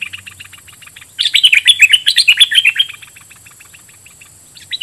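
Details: Caged decoy red-whiskered bulbul giving doubled song phrases at wild birds: soft rapid ticking notes, then a loud rich warbled phrase of slurred whistles lasting about two seconds, followed by quieter ticks.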